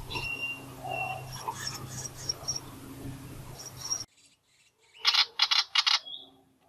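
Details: Willie wagtail chicks about 12 days old, begging actively for food on 24 October 2020, give four harsh, raspy begging bursts in quick succession, after a stretch of soft background hiss and faint chirps.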